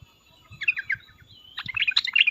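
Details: Sooty-headed bulbul with loud agitated cuk-cuk and uplik-uplik calling to provoke other bulbuls; a few soft descending notes, a thin whistle, then a dense, excited burst of chirps, with low thumping sounds underneath.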